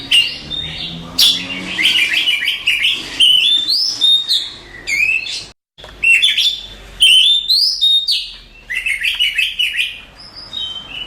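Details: Contest champion Oriental magpie-robin in full song, mixing clear whistles, buzzy trills and chattering phrases in rapid bursts, with a brief silent gap midway.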